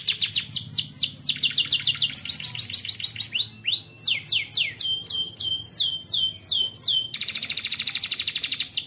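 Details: Canary singing as a lure so young birds learn to sing: quick series of high slurred notes, a pair of sweeping arcs, more descending phrases, then a dense buzzy rolling trill at the end; faint low hum beneath.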